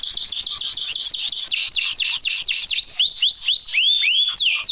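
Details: Canary song used as a filler track for canaries reluctant to sing; rapid series of high, whistled, downward-sweeping notes about four per second, shifting to rising slurred notes near the end, clear and loud with little background.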